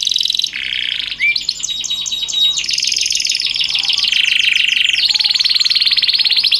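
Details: Canary tutor song in the elaborate cengkok style: continuous high rolling trills that shift abruptly in pitch, with a brief rising whistle near the start, dense and unbroken.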